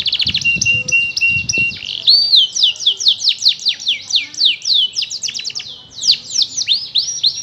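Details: Young canary still learning to sing: a few short notes and a steady flat whistled tone, then a rolling series of high slurred notes repeated about four times a second, with faint low thumps at the start.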